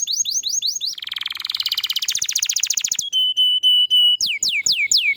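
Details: Canary song in a fast high series of mixed phrases: rapid downward-sweeping whistles, a dense buzzy trill, a steady pure held note, then loud falling whistles; meant to prompt other canaries to sing.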